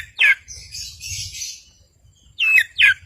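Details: Long-tailed shrike singing actively, used to provoke silent birds into singing: one short rasping down-slurred note, a pause with faint hiss, then two more harsh down-slurred notes in quick succession.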